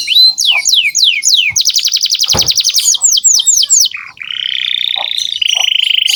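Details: Canary in full song, used as training material for juvenile canaries: high downward-sliding whistles, then a rapid clipped trill and more swoops, ending in a long, steady, buzzy roll at a lower pitch.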